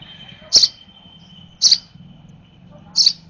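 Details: A hand-fed sparrow nestling, excited at feeding time, makes three high, piercing chirps roughly a second apart. A steady thin tone and low rumbling run underneath.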